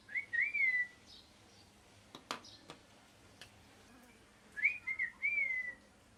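A parrot gives two bursts of clear, looping whistles, each slurring up then down over about a second, separated by a few sharp clicks and taps.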